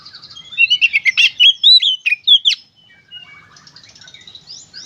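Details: Energetic Oriental magpie-robin song, played to stimulate kept birds into singing: soft chatter leading into a loud run of rich, swooping whistles and sharp rising notes, fading into quieter twittering.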